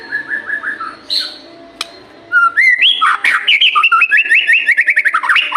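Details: White-rumped shama lure song for morning and evening: a few soft descending whistles, a sharp squeak, then a loud fast sequence of rising and falling slurred whistles repeated in quick succession.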